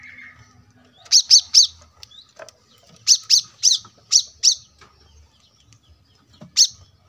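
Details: Brown-throated sunbird singing for a cage-bird training recording: bursts of three to five piercing, high, metallic chips spaced evenly, then a single isolated chip, over soft low background rumble.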